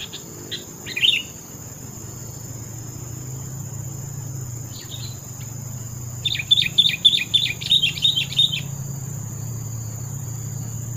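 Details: Sooty-headed bulbul gives a brief bubbly phrase early, then after a pause a rapid run of repeated bright notes lasting about two seconds, with a persistent high insect-like whine and low rumble throughout.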